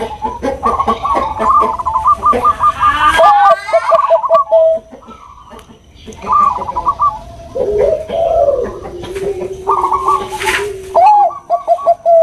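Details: Bangkok-type zebra dove, female calling to a male: long passages of fast staccato cooing with several overlapping voices, sharp clicks and bursts, separated by quieter stretches.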